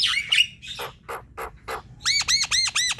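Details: Javan myna (jalak kebo) song meant to spur silent, sluggish birds into singing: rough squawks and short raspy bursts, then a fast series of five ringing arched whistles.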